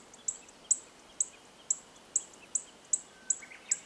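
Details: Chestnut-eared bunting (Emberiza fucata) at Oku-Nikko, Tochigi, Japan, giving short, very high, sharp ticks, repeated about every half second, over a faint hiss of background noise.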